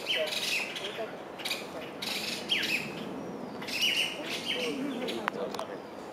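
Masked laughingthrush giving harsh, scratchy chattering bursts about once a second, mixed with a few thin, high chirps.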